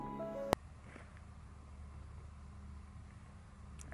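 A short musical tone ends in a sharp click, followed by a low steady hum and quiet background noise, with no animal heard.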